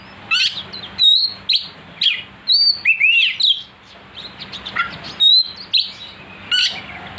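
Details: Oriental magpie-robin provoked into aggressive song, delivering a continuous stream of loud, varied whistles, quick upslurs and harsh chips in bursts about every half second, with a low electrical hum underneath.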